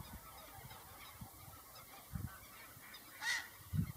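A whooper swan gives a single brassy, trumpeting honk near the end, over low dull thumps and rumbling background noise.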